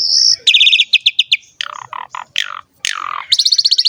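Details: Short burst of Asian pied starling song, used to prompt other starlings to sing: a high whistle, then rapid pulsed trills, scratchy mid notes and a descending slur ending in fast chatter.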